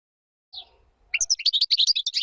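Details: European goldfinch, sung for teaching chicks: a soft single note, a brief pause, then a lively string of fast, high twittering chirps.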